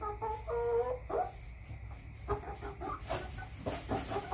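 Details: Backyard chickens clucking: a drawn-out harmonic note near the start, then a run of short, quick clucks and croaks, with a steady low hum and a burst of rustling noise toward the end.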